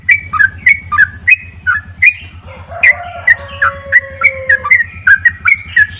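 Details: Javan pied starling in energetic, persistent song: a rapid series of sharp clicks and whistled notes roughly three to four per second, mixed with longer, lower whistles and harsh squawks, over a steady low hum.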